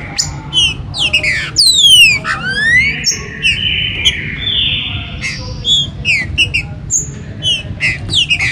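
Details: Warm-up song of the green-winged saltator for the 2022 season, meant to excite captive birds: bursts of sharp falling whistles, a long smooth held note, then scattered clipped chirps and slurred phrases over low noise.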